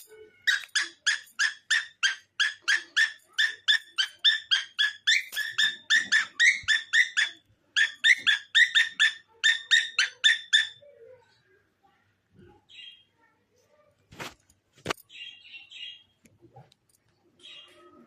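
A cockatiel gives a quick run of bright, repeated chirping notes, several each second.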